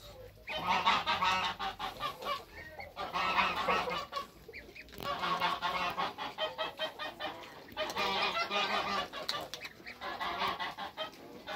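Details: Toulouse goose mother with hybrid African and Toulouse goslings on their first day of life in a backyard; loud, harsh, harmonic honks come in bursts of rapid repeated calls separated by short pauses.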